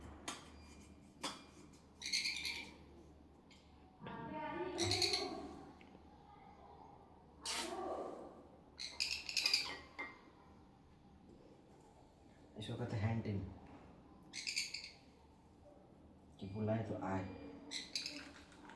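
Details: Hand-fed sun conure chick giving repeated rasping, screechy squawks in uneven bursts every few seconds, mixed with a person speaking Hindi close by.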